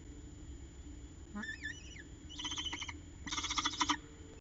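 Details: Peregrine falcon at a nest box in Orange, Australia, making an unusual noise one evening in November 2021: brief rising whistled notes, then two harsh, buzzy, pulsed bursts about a second apart, over a faint steady background hum.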